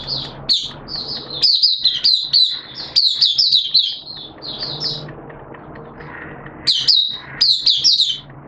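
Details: Oriental white-eye singing as a kept hobby bird during wet, erratic weather; lively high, fast chirped phrases in several bursts, a quieter noisy pause midway, then another bright burst near the end.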